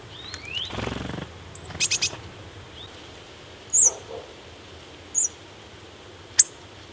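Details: A hawfinch (Coccothraustes coccothraustes) gives four or five sharp, very high 'tsik' call clicks, spaced a second or more apart, after a brief rustle and faint thin whistles at the start.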